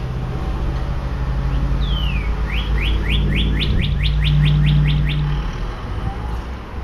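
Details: A Northern Cardinal in Toronto gives one long slurred whistle, then a quick run of about a dozen bright, down-slurred notes, roughly four per second, over steady traffic rumble.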